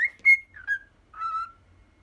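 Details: Ten-year-old pet cockatiel whistling the tune Poppippo: a few clear whistled notes, a bright high note, a falling slur, then a long steady lower tone, in a quiet room.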